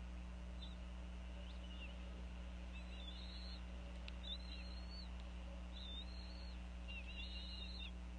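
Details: At a Northeast Florida bald eagle nest, the female calls over a fish as the eaglets are fed around 4:40 pm: soft, high chittering whistles in loose clusters, fairly faint over a steady low hum.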